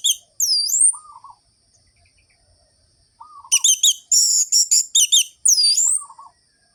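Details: Vigorous ngerol-ngeplong song of an orange-headed thrush, meant to rouse lazy birds into singing. High swooping whistles alternate with a short low trilled motif repeated three times, plus a dense burst of rapid, ringing high notes.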